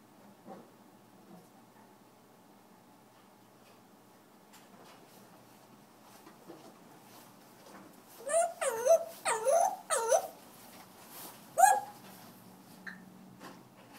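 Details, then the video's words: African grey parrot singing: after a long near-silent stretch with faint clicks, three loud swooping, looping notes in quick succession, then a single sharp rising note. "African gray parrot sings"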